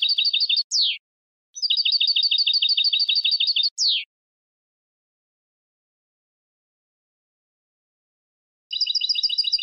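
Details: Goldfinch song in bursts: rapid pulsing trills of high paired notes, each broken by a swift downward-sweeping note, then a long silence before a final trill resumes.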